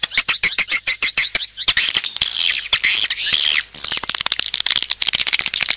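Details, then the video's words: High clicking chirps from swiftlets give way to a smeared, buzzy twittering burst, then return to quick separate chirps; a lure call. "SUARA PANGGIL BURUNG WALET"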